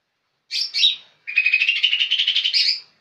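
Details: A young green leafbird gives two longer squeaky notes, a brief pause, then a fast, rattling trill of many rapid chirps ending in a brighter, higher flourish, sung gacor-style.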